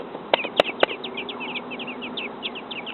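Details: Robin chicks only days old, in a backyard nest, wait to be fed. They keep up a stream of high, squeaky chirps, with three sharp knocking clicks near the start.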